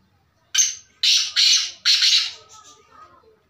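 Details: Black francolin (kala teetar) giving a loud, harsh, grating call: four rasping notes in about two seconds, the middle two run close together, then a fainter trailing note.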